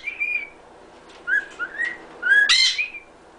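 A cockatiel whistles a fragment of Happy Birthday: five clear notes with short upward slides, ending on a louder, slightly harsh note.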